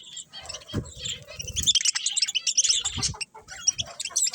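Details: Several budgies in busy, continuous chatter of high warbling chirps and squeaky trills, interrupted by soft low knocks and wing-like rustles.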